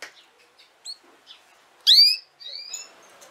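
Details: Female canary making one strong upswept chirp with ringing overtones, followed by a softer drawn-out note and scattered faint twitters.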